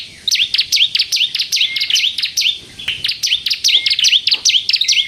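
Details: Spirited bar-winged prinia in 'crystal' style, meant to attract and provoke other prinias into song: steady runs of high, bright chirps with swooping down-up shapes, broken by two brief pauses, with slight background hiss.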